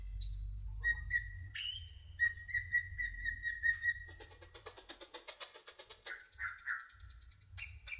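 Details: Sunbird (kolibri ninja) in a tutoring song: clear steady whistles, a rapid series of clicking notes, then a long, very high, thin trill, with a low hum in the background.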